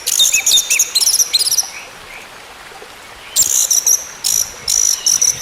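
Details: Orange-headed thrush song for getting a silent bird to sing again: quick runs of sharp, evenly spaced high notes, a short pause, then more fast repeated phrases.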